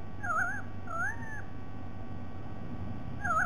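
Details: Short burst from a White-bellied sea eagle, 07 12 2020: a quivering honk and a longer rising, gently falling note, then quiet low rumble until another quivering note starts near the end.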